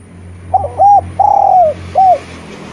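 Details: A Eurasian collared dove kept as a lure to get reluctant spotted doves singing coos once: a brief clipped note, a short coo, a long falling note and a closing short coo, over a faint low hum.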